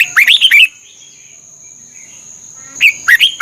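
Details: Thailand red-whiskered bulbul singing, a recording meant for training birds: a short burst of quick, lilting whistled notes, then a gap of about two seconds before a second similar phrase begins; a steady high whine continues.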